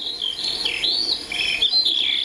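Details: Eurasian Skylark, a field bird, singing in flight: a rapid, unbroken stream of high, liquid warbles and trills that rise and fall without pause; nothing else is heard.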